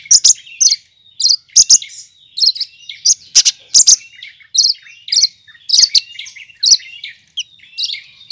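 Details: Green cucak kinoy leafbird used as a tutor for other songbirds and known for copying other species' calls: lively, high-pitched chirping phrases and sharp clicky bursts repeated roughly twice a second.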